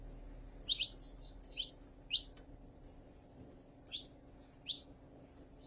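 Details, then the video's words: Saffron finch, with a female calling and a male singing: isolated high whistled chirps, each falling quickly, in small groups separated by pauses of a second or more, over a constant low electrical hum. "CANTO DE FÊMEA PARA ESQUENTAR CANÁRIO DA TERRA (FÊMEA CHAMANDO E MACHO CANTANDO)"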